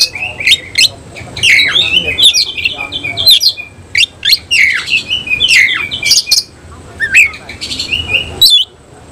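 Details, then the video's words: Oriental magpie-robin, semi-cililin type, singing with its tail fanned. Energetic phrases of crisp clicks, looping whistles and rasping notes repeat with short gaps, keeping up a lively, varied stream. "Kacer langsung NEMBAK NGOBRA BUKA EKOR || KACER SEMI CILILIN"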